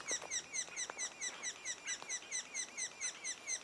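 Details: Calls from a sapsucker nest two days before first fledging, with clear down-slurred chirps repeated roughly twice per second in an even rhythm over quiet outdoor background.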